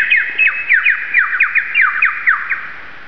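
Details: A lyrebird at Mason Falls, Kinglake National Park, Victoria, Australia, gives a quick run of loud, slurred downward whistles, about four a second, over a steady ringing tone, mimicking calls of currawong, bellbirds, galah, magpie and kookaburra.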